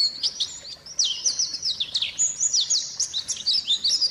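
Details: High, fast white-eye song used as a lure to prompt quiet birds to sing: sharp chirps and rising and falling whistled slurs, with a few drawn-out downward sweeps and only brief gaps between phrases.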